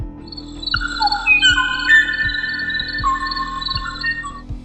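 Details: Kauai ʻōʻō on Kauai, Hawaii, described as the last known male of his species calling for a mate: clear, flute-like whistled notes, some held and some sliding, at mid to high pitch, over a soft, steady musical beat.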